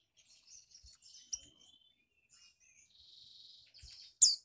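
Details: Female magpie-robin from a collection in Malang, East Java, whose call is meant to excite males. Quiet high twittering and a short buzzy rasp are followed by a single loud, sharp chip at the end.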